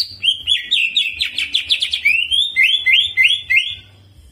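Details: Greater green leafbird in spirited song with prinia-like mimicry and rolling: varied rapid chirps and slurred notes tumble together, then give way to four or five clear, rising whistled slurs repeated in a row.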